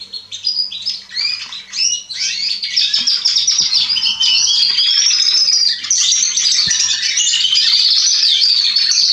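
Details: Atlantic canaries and domestic canaries, young birds hatched in spring 2020, sing together in Remscheid: short chirps build into a continuous, loud, high rolling warble of trills and tweets, with a low steady hum in the background.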